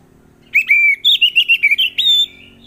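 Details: Orange-headed thrush, recorded as a lure for birds that will not sing: a fluid, fast phrase of about ten warbled whistled notes, some rising and some falling, ending in a long steady whistle.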